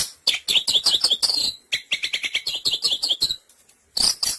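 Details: Long-tailed shrike sound played as a trapping lure: fast series of sharp chirps and clicks in dense runs, a brief gap, then two final harsh notes.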